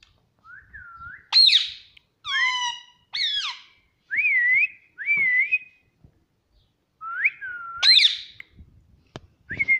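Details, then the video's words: Pet ringneck parrot indoors giving clear whistled notes, each a short rising-and-falling sweep, some with upward flicks, spaced in a loose series with brief silences between. "Pattu Parrot Talking Mummy Mummy || Mummy Papa Bolne Wala Tota"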